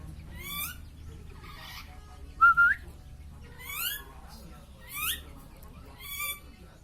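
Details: Hungry lory giving sharp, rising whistled calls, repeated every second or so, with one louder, brighter whistle in the middle, over a low steady background hum.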